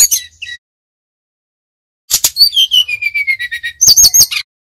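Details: From Bali, a lively Brown-chested jungle flycatcher sings nyuling: a brief chirp phrase, then a silvery series of whistled notes stepping steadily downward, ending in a burst of high twittering.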